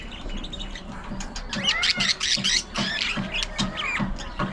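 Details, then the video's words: Pet budgerigars interacting while playing, fighting and grooming; a busy warble of sweeping, looping whistled notes and chirps, with soft rhythmic low knocks underneath. "Budgies Unfiltered! Love, Fights, Fun & Chatter All Day Long"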